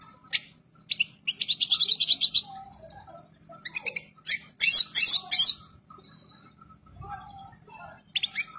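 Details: Breeding-condition European goldfinch producing scattered short bursts of high twittering and sharp chirps with quiet gaps between them, a low hum running underneath.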